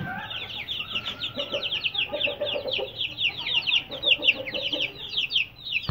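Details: Aseel chicks on a farm peeping continuously, a dense chorus of high, short downward-slurred cheeps overlapping several times per second, with lower clucking notes mixed in.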